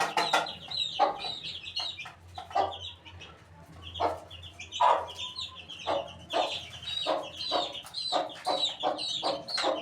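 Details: Eighteen-day-old chickens peep in clusters of short, bright, falling notes, interrupted by loud clicks and knocks, with a low droning hum running underneath.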